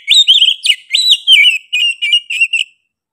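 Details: Oriental magpie-robin (kacer) delivering fast 'gacor' song: a string of sharp, slurred whistled notes and chattering elements, about eight phrases in under three seconds, gradually softer toward the end, quiet background.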